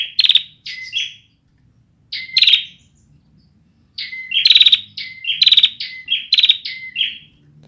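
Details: Bar-winged prinia, young and not yet in full song: short chirpy bursts at first, then a sustained run of alternating high chirps and buzzy trills.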